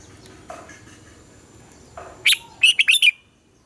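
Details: A red-whiskered bulbul gives its morning double-note song, in the mature wild style, after some soft background rustling: a brief loud note, then a tight run of four ringing whistled notes.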